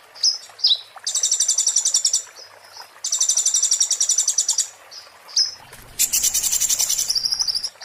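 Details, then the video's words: Oriental white-eye singing 'muntah beling', a master song for magpie-robins and shamas: three long, dense, high rattling trills separated by quick squeaky notes, the last one harsher. "master konin muntah beling"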